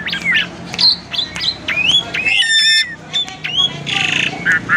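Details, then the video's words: Caged Asian pied starling in a varied, lively song used as a lure to provoke other birds into singing: rapid mix of whistled upslurs, harsh squawks, chattering trills and a brief buzzy rasp near the end. "Burung Jalak Suren Super Gacor, Pancingan Jalak Suren, Jalak Suren Bunyi Variasi"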